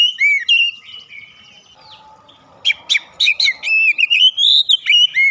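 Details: Oriental magpie-robin singing with beak opened wide; whistled phrases with down-curving notes, a quieter stretch, then a rapid burst of sharp chips and rising whistles.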